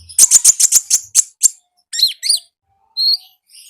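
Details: Konin singing lively in the wild: a fast run of about eight loud, harsh ticking chips, then two high, wavering squeaky notes and a thin, drawn-out whistle.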